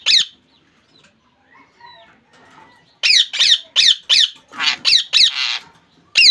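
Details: Rose-ringed parakeet, a pet ringneck kept in Bangladesh, giving harsh screeching squawks: one at the start, then a quick burst of about eight rasping calls after a quiet stretch, and a final squawk.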